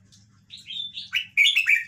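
A Red-whiskered Bulbul gives a brief, liquid, warbling phrase of bright slurred notes, rising then dipping, over a faint low electrical hum.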